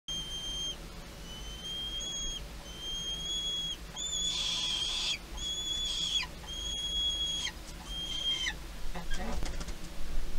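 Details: A peregrine falcon in Heidelberg, Germany, gives drawn-out, steady, high whining notes about once a second, some turning harsh and scratchy, over a low rumble of distant traffic.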